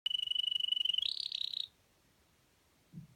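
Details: A male Russian canary, a registered Russian singing breed, runs a fast, even trill on one high note for a second, then steps up into a brief warbling phrase and stops; a soft thump follows.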